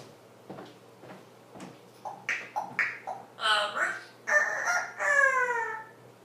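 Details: Parrot crowing like a rooster, waking its owner: after a few soft clicks, a run of about seven harmonic, crow-like calls over four seconds, rising and falling in pitch, with the last ones longer and more drawn out.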